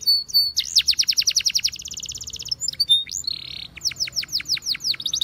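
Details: Belgian canary singing a training song: a fast trill of rising sweeps, then a short buzzy tour and a slower run of bright downward-curving whistled notes.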